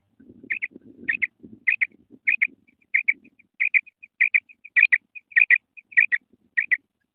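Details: Female quail call used for quail hunting: steady paired whistled notes repeated roughly every half second, with low murmuring or rustling underneath during the first two seconds.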